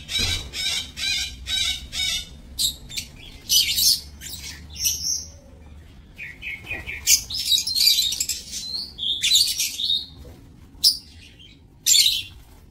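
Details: Several lovebirds kept in an aviary breeding cage, 7 June 2024, give bursts of shrill, high chirping chatter, with rapid buzzy trills at first, then scattered sharp squeaks and noisy screechy clusters.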